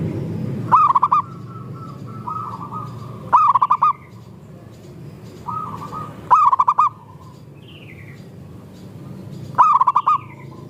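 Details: Zebra dove, local perkutut, played as a lure to prompt other doves to sing: a clear cooing phrase of about five quick rolling notes, repeated roughly every three seconds, with softer doves cooing between.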